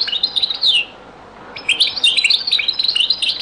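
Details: Old recording of European goldfinch song, Beni Messous 'les avocats' zaboka style: a short high twittering phrase, a half-second gap, then a longer tumbling run of liquid, chirpy notes.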